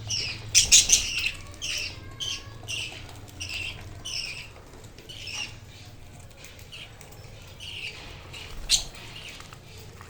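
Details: Budgerigar chick recently out of the nest box, playing with its parents: loud opening burst of scratchy squawks, then softer repeated raspy calls every half second, with a sharp click-like sound near the end.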